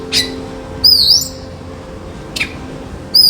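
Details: An Oriental magpie-robin in a backyard house garden, drinking water, gives sharp high chirps and a loud clear whistled phrase with slurred notes, repeated after about two seconds; faint low hum behind.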